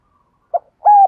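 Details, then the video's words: Spotted dove used as a decoy, cooing to call wild doves: a faint trace, then a short low note and a longer sustained coo, loud and clean with no other sounds. "Tiếng Chim Cu Mồi GÁY GỌI Bổi, Mở Lên Bổi Gáy Cả Ngày"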